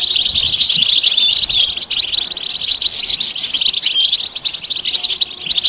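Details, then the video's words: European goldfinch mating and readiness calls in bitbita and sitsita style, meant to bring a silent male into song: quick, rattling high chirps, about two to three notes a second in bursts, within continuous twittering. "بتبتة فعالة و ستستة فتاكة رهيبة في علاج صمت الحسون"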